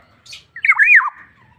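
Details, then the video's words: Black-naped oriole gives a short, loud, wavering, slurred whistle that twists up and down before dropping away. "BURUNG PODANG GACOR"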